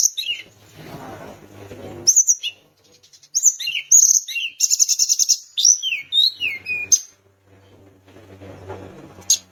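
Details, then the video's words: Sunda minivet in energetic song, used to stir rival birds into singing: a long run of high, sharp chirps, rapid trills and downward-slurred whistles, repeated in quick succession for several seconds, with low rumbling background noise. "Tledekan gunung gacor bikin lawan emosi langsung bunyi"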